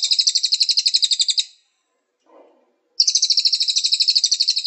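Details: Training master song of a Cililin, meant to get songbirds singing; fast, high, rattling trill of repeated notes for about one and a half seconds, a quiet gap with a faint low rustle, then the trill resumes.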